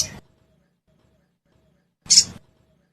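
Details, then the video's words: Sogon sound meant to make caged birds sing: the tail of one rasping note, then a single loud, harsh, high burst about two seconds later. "Suara Pancingan Burung Sogon Bahan Agar Cepat Bunyi"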